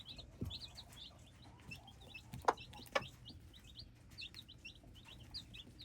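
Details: Hybrid chicks keep up irregular high peeping, short slurred notes tumbling over one another, with two loud knocks midway and a low thump early on.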